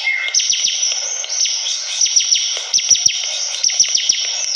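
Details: Actively singing Bar-winged prinia giving groups of three to four sharp falling notes, repeated about every second, over a steady shrill hum.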